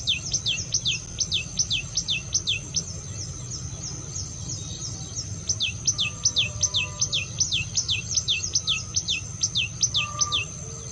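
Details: Common tailorbird singing to attract other birds: quick repeated high notes that drop steeply in pitch, about two or three per second, easing off briefly midway before resuming strongly, with a constant low hum behind.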